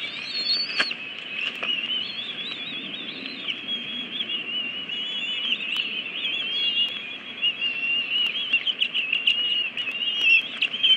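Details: Bald eagles at a nest in Washington, DC, on 22 May 2017, greeting the adult female with aggression when she arrives carrying a stick instead of food. The eaglets are 53 and 54 days old. A continuous, wavering, high-pitched chittering squeal runs throughout, with scattered clicks and knocks.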